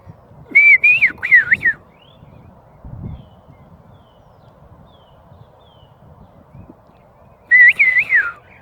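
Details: Bird singing outside a house in a happy mood: quick runs of looping, warbled whistled notes come in two bursts several seconds apart, with soft rustling and quiet background hum between them.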